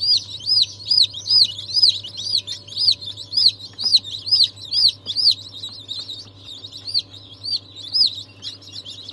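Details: Freshly hatched chick among breeds like Ayam Cemani, Sultan, Cochin and Wyandotte, 22 January 2023; loud, piercing arched peeps repeated roughly twice a second in bursts, softer chicks behind and a low hum.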